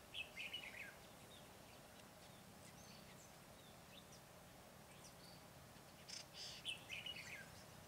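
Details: Red-whiskered bulbul on 26 December 2020, used as a decoy bird while trapping, with a flock of about seven or eight birds nearby. Two short bright warbled phrases, one at the start and one near the end, over quiet background hiss.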